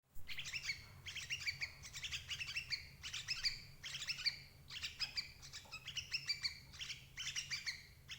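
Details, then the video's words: Sooty-headed bulbul calls used as a lure to trap parent birds: bursts of bright, bubbly chirping notes with doubled harmonic bands, grouped in short phrases roughly every half second, steady throughout over a faint low hum. "suara burung crucuk ampuh jebak indukan"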